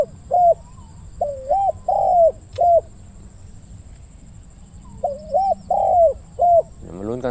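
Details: Spotted dove used as a decoy to lure wild doves, giving a deep 'khu-ang' style coo: two phrases of four mellow hooted notes, the second note long and falling, separated by a pause; a faint rustle near the end.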